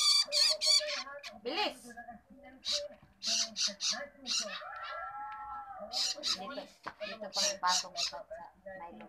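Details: A long-tailed shrike chick being fed gives harsh, raspy squawks in rapid bursts, about three a second, with a low murmuring voice beneath.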